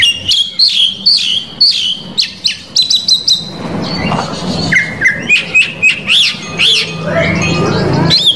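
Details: Oriental magpie-robin singing a full, varied song meant to provoke rival males: clear whistled notes, sharp rising and falling slurs and rapid chip bursts, with a short harsh buzzy passage midway and a low background hum.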